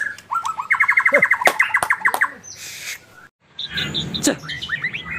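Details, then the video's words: Singing contest for White-rumped shamas: a rapid series of repeated bright notes about ten per second, then a pause and softer whistled phrases over background rustle. "Lomba Burung Online Murai Batu"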